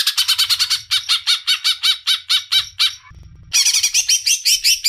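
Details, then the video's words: Leafbird (cicak ijo) song: a steady series of separate, slurred chattering notes about four a second, a short pause, then a faster run of repeated notes. "Burung Cicak ijo ngeroooollll"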